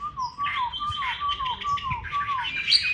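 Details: Chinese hwamei in Hanoi, Vietnam: a low whistled note repeated about every quarter second, dropping each time, under higher scratchy warbling and faint clicks.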